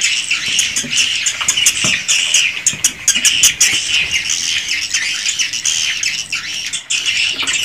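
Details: Many swiftlets calling together in a swiftlet house, recorded raw: overlapping rasping twitters form a steady wall of sound, broken by sudden loud clicks and a brief dip near the end.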